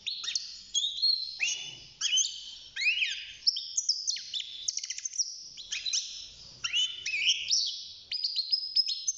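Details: Young male European goldfinch, six months old and hand-raised in a cage, singing: lively phrases of high twittering and sweeping slurred notes, with brief pauses between bursts.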